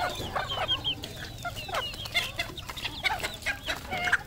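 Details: Decoy red junglefowl giving a run of short, clipped clucking notes spaced irregularly across four seconds, mixed with thin high chirps from other birds and a faint low background rumble.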